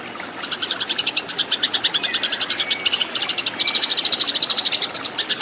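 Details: Eurasian tree sparrow delivering a fighting song meant for training caged birds: a busy stream of quick, piercing chirps, unevenly spaced at first, then growing denser and louder in the second half.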